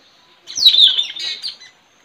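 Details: Caged Straw-headed bulbul kept for luring wild birds, singing in a contest with a neighbour's bird in a village, 4 April 2021; a single loud phrase of descending whistle sliding into warbled chirps.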